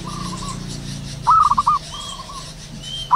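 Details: Zebra dove in the wild in the morning, a soft steady coo followed by a loud rolling stutter of quick notes, then another soft coo, with faint high bird whistles and low rumbling.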